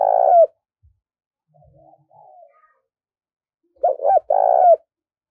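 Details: Decoy spotted dove used to lure wild doves, calling with a tremulous coo that drops at the end, then after a pause a fresh phrase of two quick hooked notes and a long burred coo; faint softer sounds between.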